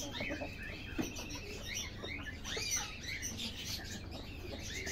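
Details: Golden Buff chickens, a hybrid egg-laying domestic breed, with many overlapping high, arching chirps and peeps repeated throughout, over a steady low hum.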